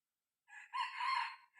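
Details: Young decoy red junglefowl cockerel, six months old, on a trial run for luring wild junglefowl, giving a short hoarse crow with a brief lead-in note and a drawn-out rough middle.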